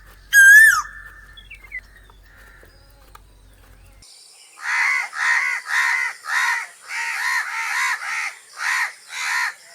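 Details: A crow caws in a run of harsh, evenly spaced calls through the second half. Before it, a brief high whistled note and scattered faint sounds stand over near silence.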